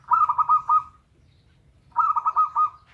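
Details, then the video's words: Local zebra dove song played as a lure to coax a dove reluctant to sing: two phrases about two seconds apart, each a quick burst of five or so staccato coos ending in a drawn-out trailing note. "pancingan perkutut lokal malas bunyi"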